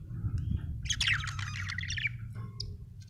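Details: Happy pet budgerigar chirping: a burst of rapid, scratchy warbled chirps and squeaky notes lasting about a second, then a short high squeak, over a steady low hum.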